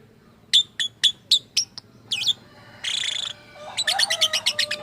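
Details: Lovebird reported to make odd sounds and mimic human speech gives a run of five or six evenly spaced sharp high chirps. A longer buzzy squawk follows, then a fast series of clipped chirps.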